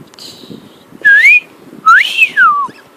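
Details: Pet cockatiel whistling: three loud, clear whistles. Each one rises and then slides down, and the last falls into a long descending note. A person speaks softly in the background.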